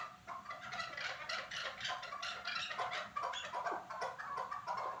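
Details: Chukar partridge calling at Norak, rapid scratchy clucking notes about three per second, irregular and overlapping as if several birds call together.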